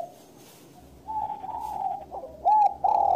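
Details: Spotted dove cooing at a distance over a steady background hiss, with level drawn-out coos and then two louder arched notes near the end.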